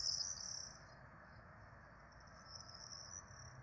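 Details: Feeding time for four Peregrine falcon chicks at their nest in Rome, 12 April 2024: a strong high-pitched wheezy begging note opens, then softer thin hissing calls trail on over a low background rumble.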